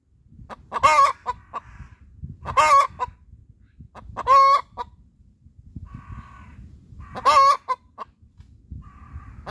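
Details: Hen's laying song: loud drawn-out squawking cackles repeated about every one and a half to three seconds, each followed by short clucks, over low rustling background.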